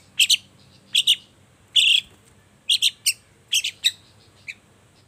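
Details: Long-tailed shrike singing energetically in the morning, played as a lure to make other shrikes answer: short, harsh, high chattering bursts of two or three notes, given in uneven clusters about once a second over quiet background hiss.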